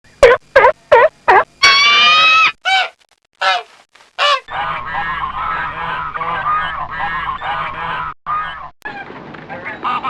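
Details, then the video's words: Ducks on a pond or lake, swimming: a run of short nasal quacks, then a longer drawn-out harmonic call and a busy overlapping chorus of many quacking birds, with brief gaps of near silence. "Ducks Swimming Sounds"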